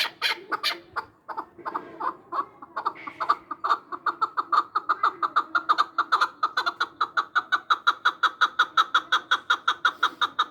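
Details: Chukar partridge, Samarkand: a few irregular harsh notes open, then settle into a long, fast, very regular series of clipped chuck calls that speeds up slightly toward the end.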